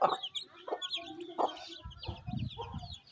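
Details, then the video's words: Mother hen feeding her chicks on a rainy day in a Pakistani village: short low clucks in irregular bursts, with thin high chick peeps twittering throughout. "Mother Hen Feeding Her Cute Chicks"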